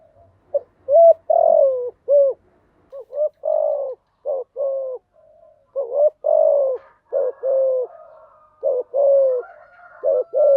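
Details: Spotted dove song meant to train newly caught doves to sing: repeated low cooing phrases, each a short coo followed by a longer falling one, about a dozen notes in steady succession.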